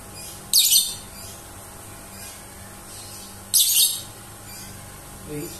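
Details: Pet lovebird, described as spoiled, that always wants to be hand-fed at mealtimes even with plenty of food in its dish. It gives two sharp, harsh high screeches about three seconds apart. The rest is quiet room hum.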